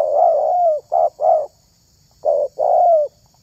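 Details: Spotted dove used to lure other doves, giving a drawn-out hoarse coo sliding downward, two short clipped coos, a pause, then another short coo and a long falling coo.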